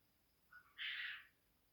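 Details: A neighbour's cockatoo at about 1:39 am on 29 March 2021 gives a brief lead-in note, then one harsh, raspy screech lasting about half a second, over a quiet night background.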